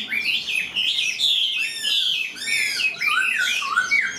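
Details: Chinese hwamei, a tame caged songbird, pours out loud, high whistled phrases mixed with rapid buzzy trills and downward-slurred notes.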